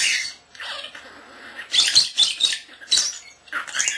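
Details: Captive common starling under a year old, mimicking speech and sounds; continuous harsh, chattering babble with squeaky bursts and brief dips, loud and close in a room.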